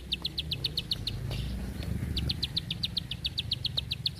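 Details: Bar-winged prinia tutor song in the long tight burst style: a run of crisp clicking notes, a pause filled by low rumbling noise, then another fast, evenly spaced run of the same notes.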